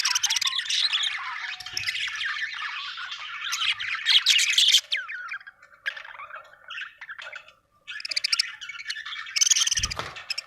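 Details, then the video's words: Happy budgie chirping: loud scratchy warbled chatter and squeaks, pausing into softer broken notes, then resuming strongly, with a low thud near the end. "Australian beautiful birds sound 🥰 happy budgie chirping sound 😍"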